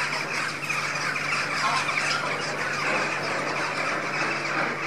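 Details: A flock of lesser flamingos at an indoor feeding, with busy overlapping squawks and brighter, higher chatter that never pauses, and a constant low hum underneath.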